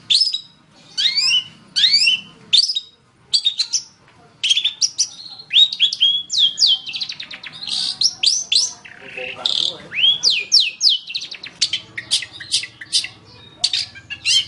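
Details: Varied long-tailed shrike song used to train other songbirds: clusters of swooping whistled notes, sharp chips and short trills in irregular phrases, ending in quick twittering bursts.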